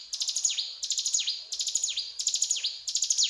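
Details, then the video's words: Four crisp phrases of mountain tailorbird 'cetrakan' song, each a fast stutter of very high notes dropping into a falling whistle, spaced about 0.7 seconds apart. "Burung Ciblek Gunung Gacor Cetrakan"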